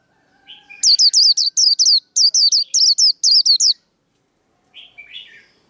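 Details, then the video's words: Japanese white-eye fighting song for training cage birds: a soft low chirp, then about three seconds of rapid, evenly spaced high whistled notes sweeping downward, followed by a quieter lower warble. "Vành khuyên líu đấu. Kích lửa vành khuyên líu đấu"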